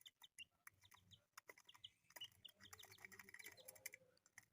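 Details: Colourful pet chicks peeping: many short high chirps, some rising and some falling, overlap in quick irregular bursts, mixed with sharp clicks and tapping that sound like pecking.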